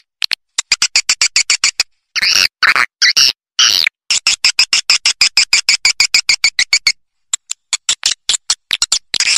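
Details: Lure sound for attracting swiftlets to farming houses: long runs of evenly spaced sharp clicks, interrupted around the second second by a few loud buzzy chirps, then more rapid clicking.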